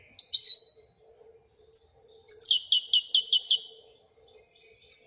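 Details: Moroccan European goldfinch in Wedania song: a slurred twittering phrase, a single high whistle, then a fast, evenly spaced trill of high notes over a second long, ending with a short chirp.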